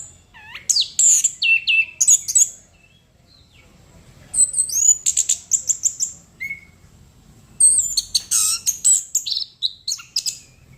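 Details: Singing chestnut-capped thrush (anis kembang) delivers bursts of rapid high chirps and buzzy trills separated by brief quiet gaps, with occasional lower whistled notes, the phrases coming about three times a second.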